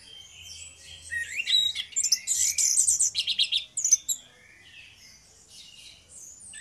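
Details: Two orange-headed thrushes in energetic ngeplong song, meant to prompt others to sing: a soft opening, a loud, crowded burst of very high rapid notes for over two seconds, then quieter scattered phrases.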